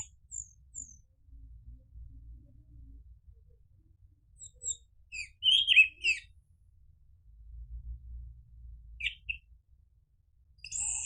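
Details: Orange-headed thrush lure song, used to prompt another bird to answer and sing. It gives scattered high, sharp chirps and short warbled notes in two loose bursts, with quiet gaps and a faint low hum between them.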